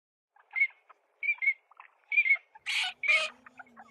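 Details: Eurasian teal: male gives short, clear, high whistled notes in quick pairs, about one burst a second, to court the female, then two harsher, rougher calls and a faint low hum.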